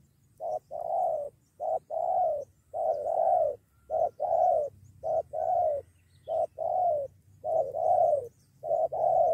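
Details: Spotted doves drawn in by a decoy bird, close to a two-against-one fight. Soft, mellow coos arrive in pairs, a brief note followed by a drawn-out, slightly falling coo, repeated rhythmically about once a second.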